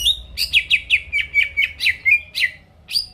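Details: Chatty greater green leafbird singing to provoke rivals. Rhythmic series of sharp, downslurred whistled notes, about four per second, then a short gap and one last note.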